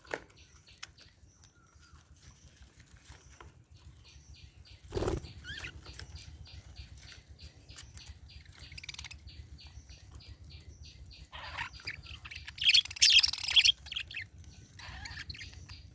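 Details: A budgerigar (Melopsittacus undulatus) gives soft, high, repeated chirps with occasional bursts of wing flapping.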